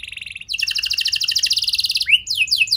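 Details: Canary singing to lure other canaries into song: a short buzzy trill giving way to a fast rattling run of repeated bright notes, then a sharp upward sweep and quick chirped slurs.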